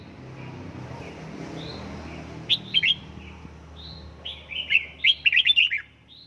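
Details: At home, a red-whiskered bulbul in căng lửa training gives quiet scattered chirps, then loud rapid clusters of bright, warbling notes at the middle and end, over low room noise.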